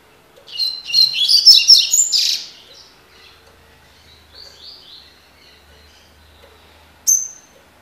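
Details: Double-collared seedeater, described as a spirited ("de fibra") bird, singing the tui tui song style: a loud burst of rapid high chirping and trilled notes for about two seconds, then softer scattered notes and one sharp final note.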